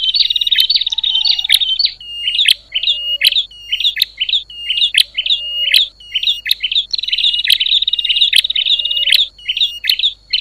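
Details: A bar-winged prinia scolds noisily, stirring up other prinias, starting with a dense buzzy rattle, then a steady run of short doubled chip notes with sharp clicks, roughly one per second.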